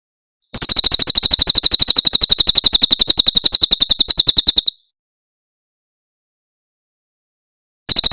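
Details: Javan prinia in the 'tembakan' style of Cililin, a crystal-clear master recording for songbird tutoring: a four-second volley of rapid, sharp, high ticking notes, then about three seconds of silence before another burst begins.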